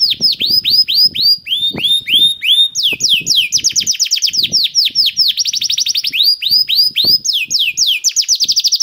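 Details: Canary song played as a prompt so other kenari birds start singing: series of loud descending whistled sweeps, about four per second, then faster rattling trills and chopped buzzy rolls, with light tapping underneath.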